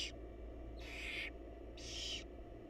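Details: Inside a nest box of wild barn owls, with the mother bringing food to the chicks, three coarse hissing screeches sound, the first cut short, the others about half a second long.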